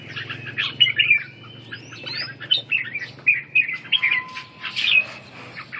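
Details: Red-whiskered bulbul doing ché song training to rebuild stamina, singing a run of warbled, whistled phrases that rise and dip, given in quick repeated bursts, with a thin steady tone briefly underneath.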